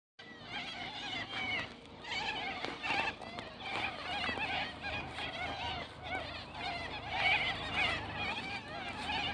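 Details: Wild flock of white cockatoos in a tree at a park in winter; continuous overlapping harsh, nasal squawks from many birds, with a man's voice and a brief burst of applause-like noise.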